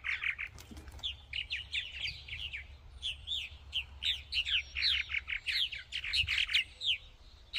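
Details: Purple martins in 2024 chatter in a busy run of rich, gurgling chirps and croaks, several birds overlapping with no pause, over a low background hum.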